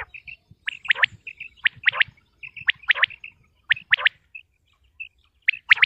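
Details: Common quail from Punjab, Pakistan: repeated three-note whistled phrases of short falling flicks, each group preceded by soft paired chips, sounding roughly once a second, with light background rustling.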